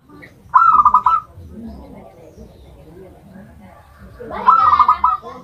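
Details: Zebra dove singing from a homemade cage built from a rice container: two clear, rapidly beaded cooing phrases about four seconds apart, each lasting under a second, over a quiet, low rumbling background.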